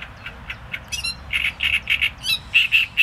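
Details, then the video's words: Great reed warbler singing a harsh, grating phrase: scattered rough notes building into loud, croaking syllables repeated about four times a second, some doubled, with a quiet outdoor background. "Trzciniak i jego śpiew"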